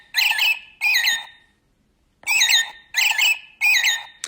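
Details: American robin singing: five clear, warbled caroling phrases, each about half a second, rising and falling in a cheerful cheerio-cheerily pattern; robins call a lot in the morning, around first nest-building time.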